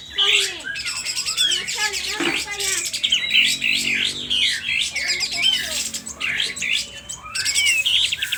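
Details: Agitated sooty-headed bulbul from Aceh, spreading its tail while singing loudly: dense, rapid high chattering and whistled phrases pouring almost continuously, with brief lulls around three and six seconds.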